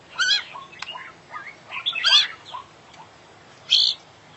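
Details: Singing gacor, a champion oriental magpie-robin (kacer) delivers full isian: varied warbled phrases of rich, harmonic notes, down-slurred whistles, and loud scratchy bursts, with short gaps between phrases.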